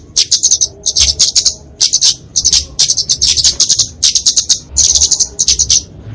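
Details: Fighting song of the kemade flowerpecker (genus Dicaeum), used for tutoring and luring small birds. Crisp separate bursts of high, sharp ticking trills come roughly twice a second over a quiet background.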